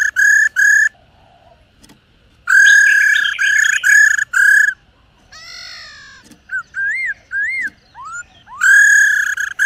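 A female black-throated laughingthrush gives loud, harsh, nasal notes in short bursts, broken by a run of slurred, rising-and-falling whistles.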